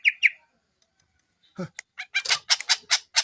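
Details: Greater green leafbird giving two sharp chirps, a pause, then a rapid series of harsh, buzzy, squawking notes.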